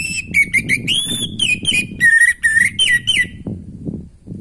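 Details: Orange-headed thrush singing naturally, played to stir breeding drive in a bird that has stopped singing: a run of loud clear whistled notes, some sliding up and some falling, about three seconds, over low background rumble.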